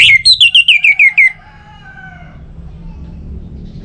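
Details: Ngeplong song of an orange-headed thrush, played to coax other birds into singing: an opening high note followed by a quick string of bright, slurred whistles sliding down, then fading to low background hum.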